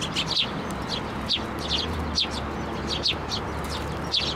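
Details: Eurasian tree sparrows, including one chick, flying onto a person's hand for food at a Tenmangu shrine on 17 May 2024; short, high, bright chirps in pairs or clusters roughly every second over a steady low hum.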